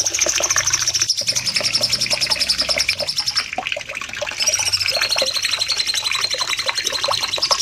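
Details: Caged-bird training recording of a cucak cungkok bulbul singing in long bursts: quick, sharp, high notes repeated about three times a second, with a short pause midway, then the rapid trill continues.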